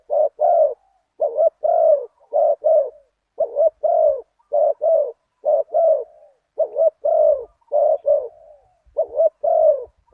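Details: Deep-voiced one-kuk spotted dove during decoy luring of a target bird at spot 37: steady series of short, hoarse paired coos, roughly two per second, continuing without a break across ten seconds. A faint low thump is also heard.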